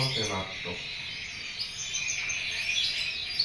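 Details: Canary being sunned in the morning, kept between 8 and 10 am to sing more and stay healthy; dense, continuous high warbling and twittering, with a brief low voice at the start.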